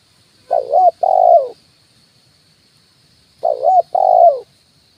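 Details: Spotted dove 'kuk 1' decoy coo, perched on a branch and on the ground: two clean phrases about three seconds apart, each a rolling first note and a drawn-out smooth second note, against near silence.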